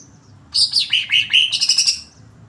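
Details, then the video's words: Agitated greater green leafbird singing a burst of sharp high whistled and chattered notes, slurring downward then rising into a quick buzzy trill, about one and a half seconds long. "cucak hijau emosi."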